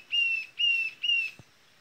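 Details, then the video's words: Rufous-tailed jacamar giving three high, thin, level whistles in quick succession, each slightly falling at the end; a soft thump follows. "O canto da ariramba de cauda ruiva"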